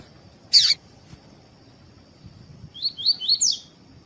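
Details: Male double-collared seedeater with a female for contest warm-up, singing tui tui style. One loud sharp snap opens, then after a pause four rising whistled notes finish in a buzzy high flourish.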